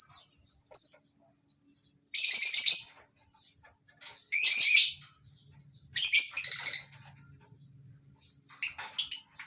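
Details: Lovebirds, including masked and Fischer's, in a colony aviary on a breeding farm during the morning: loud shrill screeching bursts about every two seconds, each under a second long, with a faint low hum behind.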